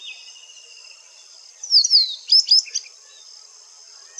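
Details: White-browed wagtail in India giving two shrill descending call notes, then a short burst of three or four quick, clipped, high chips, over a steady high hiss.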